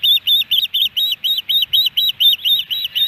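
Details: Nesting osprey in Hellgate Canyon, Missoula, Montana, recorded by nest camera on 13 July 2018 amid three fish deliveries: a string of bright, high, down-curving whistled cheeps, roughly two per second, with faint low background hum.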